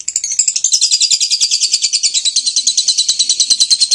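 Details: Lovebird, described as very vocal, giving a long continuous ngekek trill: rapid, evenly pulsed high chattering notes, about eight pulses a second, sustained throughout without a break.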